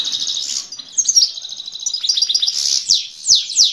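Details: A Himalayan goldfinch sings toward a female, pouring out rapid high chirps and buzzy trilled phrases that end in a few sharp sweeping notes.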